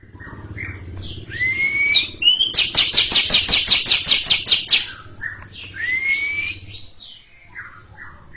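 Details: A greater green leafbird gives rising, slurred whistles, then a long, loud, harsh chatter of about ten rapid notes over two seconds before whistling again, a bird ready to roll its song, singing before a young bird that has stopped singing.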